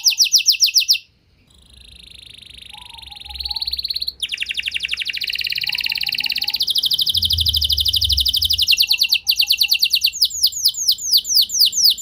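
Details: Canary song played to draw other canaries into singing: a quick trill breaks off, resumes as a buzzy high rattle, swells into a dense rolling trill, and ends in rapid downslurred notes, with faint low background hum.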